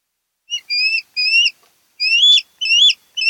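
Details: Wild osprey pair at their nest on Kent Island, Maryland, on the Chesapeake, nest camera, 10 August 2018: bright whistled two-part chirps with a rising upslurred end, given in irregular bursts about every half second, with no other sounds.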